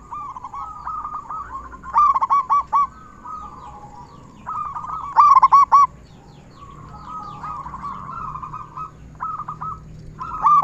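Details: Local zebra dove, loud and singing readily, played to lure other zebra doves into song. Spaced bursts of four or five quick cooing notes stand out over continuous lower cooing from other doves.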